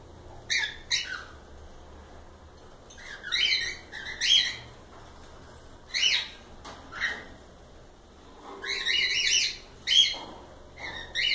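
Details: Several cockatiels call in loud, separated bursts of harmonic squawking chirps, some doubled, with quiet gaps between the outbursts.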